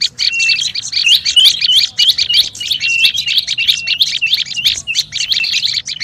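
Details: Olive-backed tailorbird giving a noisy lure call: quick high chips mixed with wavering, looping whistled notes, repeated rapidly and excitedly with little pause.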